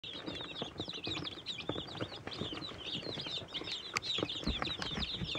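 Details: Flock of Catskill Homesteader, Swedish Flower Hen and Bielefelder chicks in an indoor brooder, happily eating and drinking; dense overlapping high chirps run throughout over soft pecking taps, with one sharp click near the four-second mark.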